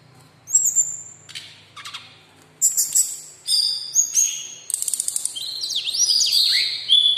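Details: Brown-chested jungle flycatcher, a local bird singing freely in captivity, pours out high clear whistles, buzzy bursts and rapid stuttering notes that grow denser toward the end, with a sweeping downslurred phrase near the close.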